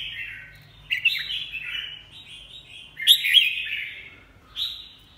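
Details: Red-whiskered bulbul singing loud fluty warbles, a longer phrase of wavering whistles followed by a sharper burst and a final short note, against a quiet low hum.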